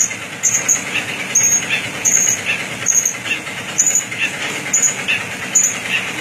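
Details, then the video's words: Serkele bird singing: a series of short, high, thin whistled notes repeated about every three-quarters of a second, each with a lower accompanying note, over a steady hissing background. "burung serkele"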